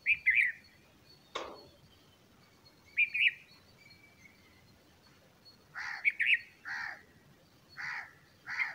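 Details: Bulbul feeding chicks: warbled chirps at the start, a sharp click, a softer chirp pair, then a steady run of four or five loud, buzzy bursts about a second apart.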